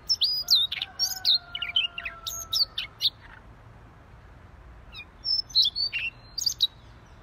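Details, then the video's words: Siberian rubythroat singing vigorously: quick bursts of varied, scratchy and whistled high notes in short jumbled phrases. A pause of about two seconds separates the bursts. A faint steady whistle-like tone runs beneath the first half. "Siberian Rubythroat Gacor Si Leher Merah"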